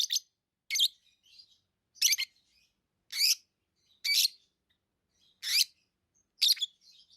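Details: Tame lovebirds giving sharp, shrill single chirps roughly once a second, each a brief rasping burst, with faint soft twittering in the gaps.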